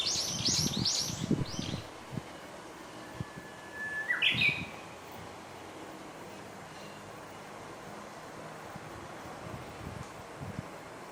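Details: Japanese bush warbler singing by the Oppe River promenade in Ogose, Japan, on 12 July 2021: a faint, drawn-out whistle followed by a quick burst of higher notes, after bright twittering chirps from other birds and low rumbling background.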